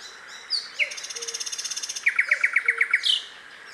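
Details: Sikatan londo flycatcher in the wild: a sharp upslurred call, a long dry buzzing trill, then a run of crisp ringing notes about four per second and a final squeaky twitter.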